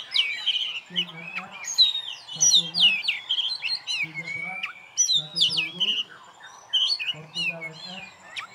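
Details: Champion oriental magpie-robin hung by itself in a cage, singing a jumbled mix of slurred whistles, twangy notes and scratchy squawks, with people talking quietly in the background.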